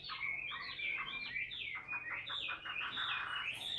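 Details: Caged Chinese hwamei singing in the ngũ trường style while held on the hand: a dense, fast run of warbled, slurred notes, mostly high and bright, sung continuously with no pauses and a faint low hum underneath.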